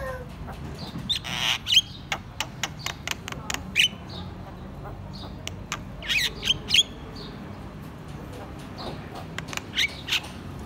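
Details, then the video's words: Javan myna, white-eyed, chattering loudly: sharp, harsh chirps and squawks come in irregular bursts, some clipped and metallic, with faint voices in the background. "suara burung jalak kerbau ngoceh keras"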